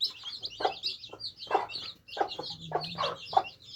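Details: Many baby chicks quenching their thirst: a dense chorus of high, rapid peeps over repeated soft taps and clucky knocks from the drinking trough, with a faint low hum.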